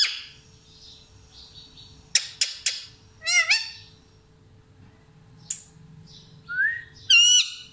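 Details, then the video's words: Parrot calling intermittently: sharp clicky bursts, a pair of rough squawks near mid-clip, a single thin whistled note, then a final harsh screech, with quiet gaps and low background hum. "Parrot sound Mithu Mithu"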